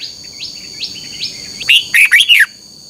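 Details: Red-whiskered bulbul morning contest song, used as a lure for training: three faint rising notes, then a loud burst of four bright, slurred whistles close together near the end, above a steady high whine.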